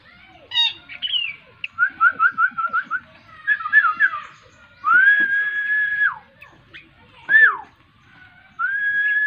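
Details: Young Black-winged kite (alap-alap tikus) hand-fed squirrel meat by a person. It gives a quick run of short whistled notes, then long level whistles about a second each, rising at the start, loud and close, with faint clicks between.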